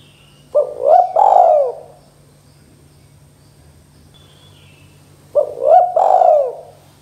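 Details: Spotted dove, a lure call recording for attracting doves, giving a cooing phrase of a few rapid rising notes followed by a longer drawn coo, repeated twice about five seconds apart, with steady low hum underneath.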